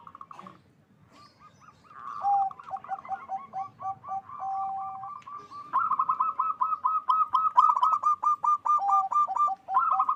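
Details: Local zebra dove in vigorous, loud-voiced song meant to raise mating drive: quick staccato cooing notes near one pitch, broken by lower drawn-out coos, building into a louder, faster rattling run of pulsed coos.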